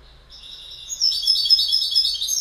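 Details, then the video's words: Goldfinch song building from faint high chatter into loud, rapid, tinkling twitters, intensifying toward the end. "Goldfinch Bird Sound"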